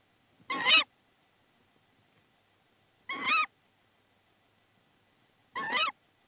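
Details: Tawny owl at a nest in Estonia, 22 March 2016, when the male delivers a frog: three short, harsh, wavering calls spaced about two and a half seconds apart in a quiet setting.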